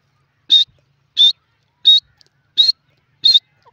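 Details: Male grey francolin giving five short, clear high whistled notes, evenly spaced about 0.7 seconds apart, in a quiet setting.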